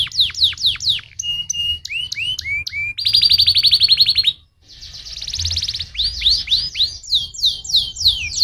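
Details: Stimulating canary song intended to get other canaries singing, starting with quick repeated downslurred whistles, then looping notes, a dense buzzy roll, a short gap, and more rapid sweeping phrases.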